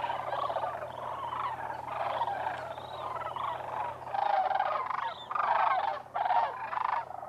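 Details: Wintering sandhill cranes, a flock of more than 20,000, at Whitewater Draw Wildlife Area in southern Arizona. Overlapping rolling, rattling calls from many birds come in bursts, loudest in the second half, with several cranes calling at once.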